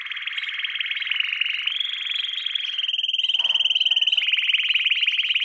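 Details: Canary singing in a training lesson for young birds: long, even, rolling trills held at one pitch, stepping briefly higher, then ending in a fast, sharply pulsed roll.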